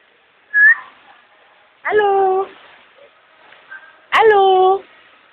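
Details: Pet Amazon parrot imitating human speech and saying hello: a brief high whistle, then two loud harmonic voiced utterances about two seconds apart, each roughly half a second long, in a quiet indoor setting.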